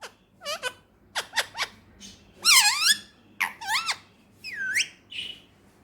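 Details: Talking Indian ringneck parrot, a Pakistani male pet, chattering clipped word-like notes, a long buzzy harmonic phrase and a final rising whistle.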